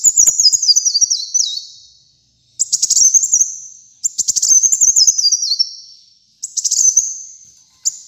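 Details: Brown-throated sunbird in vigorous song as a master recording for kept sunbirds: repeated high phrases, each a burst of rapid chips then a notched descending trill, separated by gaps of about a second.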